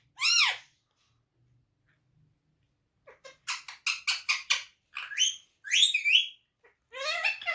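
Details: Talking pet parrot speaking Urdu/Hindi words: one loud arched syllable, a pause, then a rapid string of clipped, voice-like syllables and bright whistled inflections, all indoors with little background sound.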